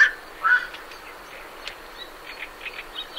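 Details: Night heron departing the roost gives a clipped croak, then one clear harsh croak; afterwards, soft scratchy chatter from great reed warblers continues in the background.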